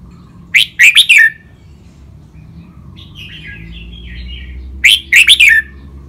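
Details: Two caged Thai red-whiskered bulbuls face off in song, with training styles called rik, double, lak wai, mae bot and note counting. Two sharp bursts of rapid notes come four seconds apart, with a soft warble between them and a low hum behind.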